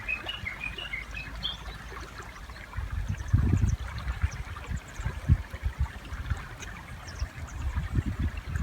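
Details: Japanese bush warbler singing beside a river, one of two different songs: a quick series of short, high, slightly wavering notes for about a second and a half. Then splashes and rushing water, with fish jumping in the river.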